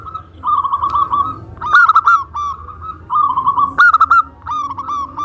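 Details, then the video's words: ['Zebra dove of a local strain singing to provoke others: rolling trilled phrases alternate with sharp clipped coos, each phrase repeating at about two-second intervals.'] "Perkutut Lokal Suara Gacor - Untuk Pancingan"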